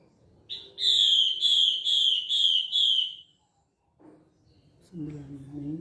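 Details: Female hwamei used as a lure gives a rapid run of about six clear, high, slightly falling whistled notes, followed after a pause by a brief human voice.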